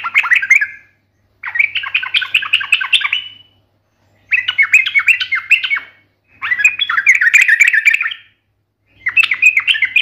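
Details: A sooty-headed bulbul singing actively in a sharp, combative style gives bursts of rapid, chattering warbled notes lasting one to two seconds, separated by brief pauses, with a faint low hum beneath.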